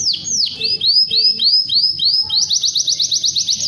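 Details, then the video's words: Canary in full, lively song: a series of high, arching whistled notes repeated about twice a second, then a fast trill of rapid, bright notes. "Burung kenari gacor"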